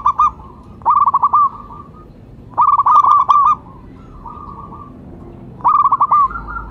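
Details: Local zebra dove used as a lure, calling: repeated trilling phrases of rapid rolling notes about every two seconds, softer level notes between them, steady background hum.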